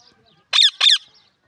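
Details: A pet parrot from Pakistan, known locally as mithu tota, gives two loud harsh squawks in quick succession, each about a quarter second long with a rough, broad-band tone, then falls silent.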